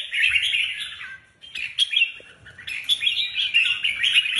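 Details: Red-whiskered bulbuls being prepared for a contest give lively runs of bright chirps and whistles, a brief gap after the first second, then renewed rapid chattering.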